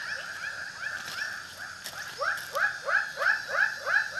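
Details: White-breasted waterhen giving a rapid run of croaking, rising notes. The run begins soft and blurred by overlapping voices, then turns loud and evenly spaced at about three per second over the final two seconds. A few faint clicks are heard.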